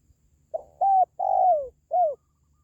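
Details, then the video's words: Spotted dove, played to encourage pet doves at home or to lure wild ones: one phrase of four notes, a short clipped coo, a level coo, a long coo sliding down, then a short falling coo. "SUARA PANGGILAN BURUNG TERKUKUR"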